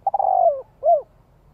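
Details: Spotted dove decoy luring wild doves with a stuttering start that smooths into a low, sliding coo, followed by one short arched coo.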